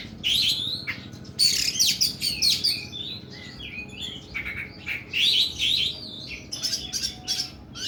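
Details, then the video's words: Oriental magpie-robin pouring out loud 'nembak' song, long and coarse: bright looping whistles and grating harsh phrases in bursts, with short pauses between strophes. "KACER KUKU BIMA NEMBAK PANJANG & KASAR"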